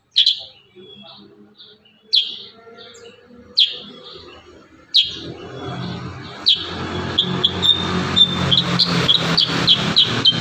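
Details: Kurincang singing in rapid 'tembakan rapat' style: loud, sharp, downward-sweeping shot notes spaced about one and a half seconds apart, then a denser run of short chirps over a rumbling, noisy background.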